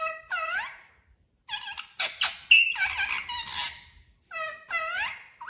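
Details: Parrot chattering in a lively series of varied calls: looping whistled notes that bend up and down, mixed with harsher bursts, almost continuous over several seconds.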